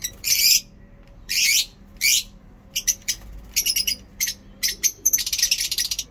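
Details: Chirping lovebird in Peshawar on a day of good weather: spaced harsh screechy calls at first, then quickening into clustered sharp chirps and a rapid chatter at the end.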